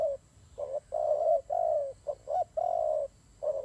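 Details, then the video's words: Fighting doves cooing: short and longer low burry coos, some quick doubled notes, about six phrases spaced by brief silences, with a steady faint high hiss behind. "God dove Fighting"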